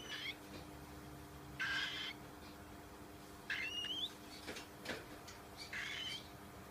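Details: Baby cockatiel giving raspy, hissing bursts roughly every two seconds, one carrying a thin rising whistled tone, over a steady low indoor hum.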